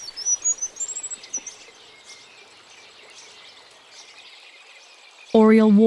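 Oriole Finch gives a quick burst of very high, thin whistled notes lasting about a second, then faint chirps over quiet background before a spoken voice.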